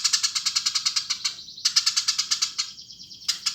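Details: Eurasian tree sparrow repeating loud, evenly spaced chirps about eight per second, pausing briefly, then resuming the rapid series over a faint high buzz.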